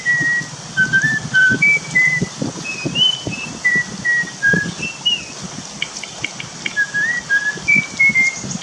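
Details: Wild forest starling sounding a long run of pure, short whistled notes that hop between pitches, a few slurred upward, with faint clicks and a low background drone.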